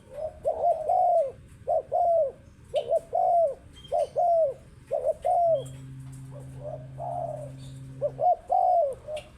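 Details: Spotted dove repeating its phrase about once a second: short and long mellow arched coos. A steady low hum joins partway through.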